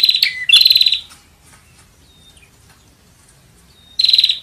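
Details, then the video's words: Bar-winged prinia calling to lure birds: an opening loud buzzy pulsed burst with a lower dipping note, a long near-silent pause with a faint thin whistle, then another rattling burst. "Suara Burung Prenjak Untuk Pemikat"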